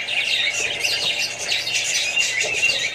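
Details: Australian budgerigars kept with other parrots, birds and babies, chattering as a flock: a dense, continuous warble of high chirps and squawks, many voices overlapping without pause.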